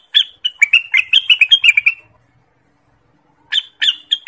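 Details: Orange-spotted bulbul song played as a trapping lure and for training birds: a hurried run of bubbly, slightly descending chirps, a pause of over a second, then a fresh phrase beginning.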